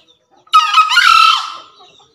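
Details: Male green junglefowl from Java, one of two birds calling vigorously, giving a loud, harsh, hoarse crow of about one second that fades out raggedly, on an otherwise quiet background.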